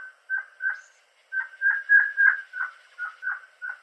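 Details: Bloodhead, or Crimson-headed Partridge, of Borneo's montane forests, giving a rapid chain of loud, ringing notes with a metallic edge, a short gap early on, then an even run of about three notes a second.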